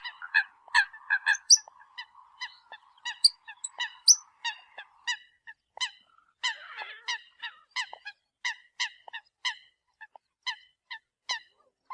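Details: Eurasian coots calling the flock: short, sharp nasal notes repeated in quick, uneven series, with a steady low hum running beneath the first half.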